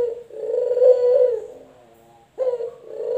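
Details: Male collared dove (puter), from a comparison of local and white varieties, giving a long low coo with a rough, pulsing texture lasting over a second, a soft tail, then a short gap before the next coo begins.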